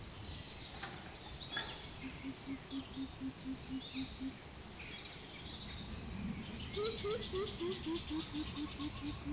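Greater Coucal giving deep, hollow hoots, about four a second, first level and then a second run sliding downward, over high chirps from other birds.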